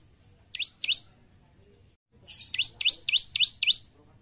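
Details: A bar-winged prinia singing vigorously, kept for training caged birds. It gives two bright rising chirps, a short silence, then six rapid upsweeping notes with a brief hiss before them.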